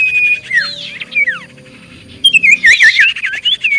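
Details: Common iora singing as a lure to make others answer: a steady whistle and downslurred notes, then a lively burst of rolling, looping whistles.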